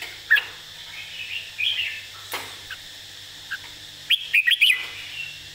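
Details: Model song of a red-whiskered bulbul for teaching birds: scattered single chirps and soft warbles, then a closing burst of four quick, bright whistled notes over steady hum.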